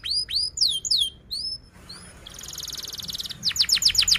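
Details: Canary singing a few falling whistled notes and soft rising chirps, followed by a buzzy rattle and a rapid series of sharp descending notes.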